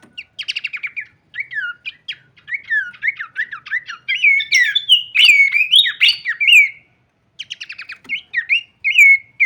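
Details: Horsfield's babbler singing a full varied song with wing shaking: nearly ten seconds of mixed whistled slurs, rapid stuttering trills and looping notes. There is a short pause before the trills resume.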